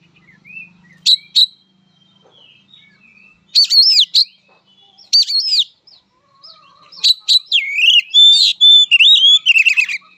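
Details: Oriental magpie-robin giving a fighting song: scattered bursts of harsh, rasping notes mixed with clear, looping, warbled whistles, separated by quiet gaps, growing richer and more continuous near the end.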